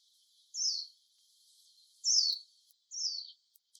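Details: Warbling white-eye, three thin high descending notes spaced about a second and a half apart, each a short sliding whistle, against a quiet background.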